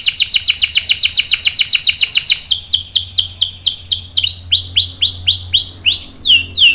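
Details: Canary delivering lure song meant to prompt other canaries to sing along: a long run of quick descending chirped notes, slowing into broader looping whistled phrases, bright and high-pitched.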